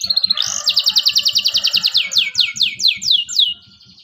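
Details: Local canary song used to prompt young birds learning to sing: a brief high note, then a fast rolling trill of rapid chirps, ending in slower descending whistled sweeps about three per second, with a low rhythmic thumping beneath.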